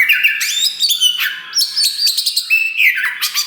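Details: Loud Oriental magpie-robin (kacer wulung) singing continuously: sharp, bright whistled notes alternating with harsh, scratchy trills and quick stepping phrases, the tone shifting often.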